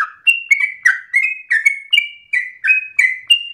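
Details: Persistent 'ngotot' song of a yellow-vented bulbul, a tutor recording for untrained birds: bright, bubbly notes in quick succession, each a short upward or downward slur, about three per second.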